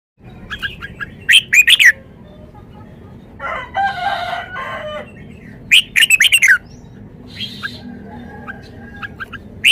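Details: Red-whiskered bulbul showing off its song repertoire: short bright whistled phrases in quick bursts around 1.5, 5.8 and 6.3 seconds, separated by a harsher buzzy rasping passage near 4 seconds, over low steady background hum.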